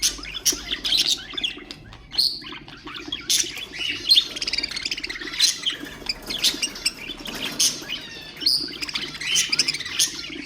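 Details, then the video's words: Budgerigars kept as pet birds, song to stimulate other birds; steady chattering warble with frequent high chirps, squeaks and rasping notes throughout. "اقوى أصوات طيور البادجي طيور الزينة أصوات تحفيز الطيور"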